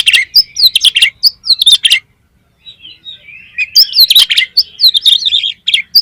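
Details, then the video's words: Loud, continuous lure song of an Oriental magpie-robin, used to excite other magpie-robins into singing; rapid sharp chirps and whistled slurs in dense bursts, a brief pause, then soft warbling leading into another rich, fast run. "PANCINGAN KACER BOCOR ALUS ‼️ NGEPLONG BIKIN GAIRAH KACER LAIN CEPAT BONGKAR ISIAN"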